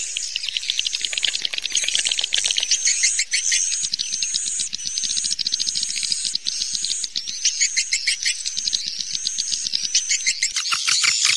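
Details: Edible-nest swiftlets in a breeding-season lure recording: a steady wash of high twittering and repeated whistled chirps, under a dense rapid insect-like trill that grows louder and more clicky near the end.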